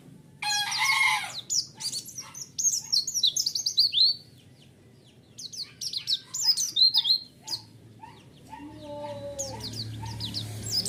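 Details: White-eye lure song: fast bursts of high chirps and slurred whistles broken by a short pause, with lower whistled notes appearing toward the end.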